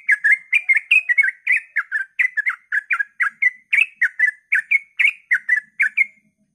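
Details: Sooty-headed bulbul at dawn pours out ropel song to get other bulbuls singing: an unbroken series of quick, bubbly whistled notes rising and falling, ending in brief silence.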